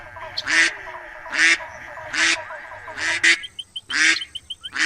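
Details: Loud nasal duck quacks about a second apart, accompanied later by a thin high steady whine and a string of short whistled pips.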